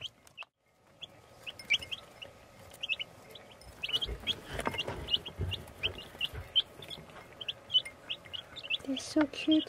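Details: Baby chicks peeping: many short high cheeping notes repeated rapidly and unevenly, roughly three per second, over a low rumbling background with some handling noise.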